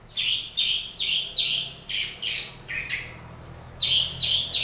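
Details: Long-tailed shrike in the morning uttering harsh, scratchy notes, each a rasping burst, repeated at roughly two-thirds of a second apart in a steady series.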